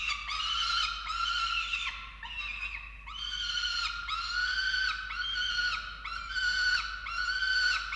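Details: Falcons feeding chicks at the nest in Orange, Australia, 13 November 2022: arched, whining notes about a second long, repeated roughly once per second in a steady series.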